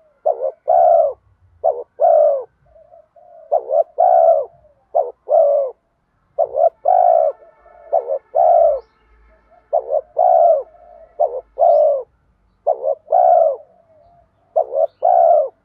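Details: Lure calling of a spotted dove with 'giọng đồng' urging coos to bring wild spotted doves near: about eight repeated phrases, each a short stuttered note or two and a sustained low coo, faint low rumbles beneath.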